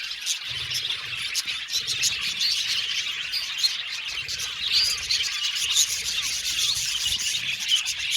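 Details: Australian budgies in a colony aviary keep up a lively, unbroken chatter of high chirps and warbling squeaks, with small swells in loudness throughout.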